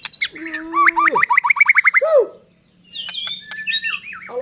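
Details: Singing white-rumped shama meant to make other shamas sing and get excited: a low steady whistle, then a rapid burst of about ten sharp ringing notes and a drop, a short pause, and high varied warbles.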